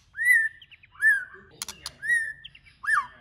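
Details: White-rumped shama song used to stimulate other shamas to sing: clear, fluty whistled phrases that rise then hold steady, repeated about once per second, with two sharp clicking noises in between.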